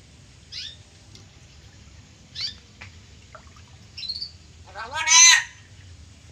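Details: Pet black-capped lory imitating human words such as "halo" and "bapak". Short scratchy high notes arrive every second or two, then a louder, drawn-out harmonic, voice-like call near the end over a low background hum.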